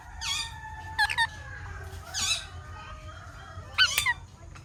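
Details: Alexandrine parrot giving harsh, ringing chirps in short bursts, some doubled or tripled, spaced about a second apart over a steady low hum.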